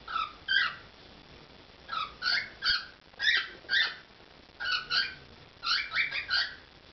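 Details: Pet cockatiel performing indoors, giving clusters of bright, harmonic chirps in doubled and tripled notes, spaced about a second apart, with a faint hum underneath.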